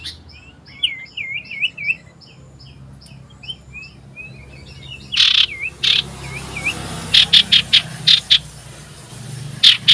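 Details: Common iora calling loudly while looking for a rival, recorded 27 December 2022: a rhythmic series of short dipping whistled notes, later mixed with sharp clicking bursts and scattered chirps.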